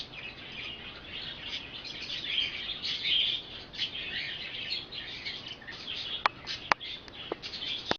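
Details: Budgerigar kept as a pet, from September 20, 2010, chattering in a continuous soft, scratchy warble of high notes, with several sharp clicks near the end.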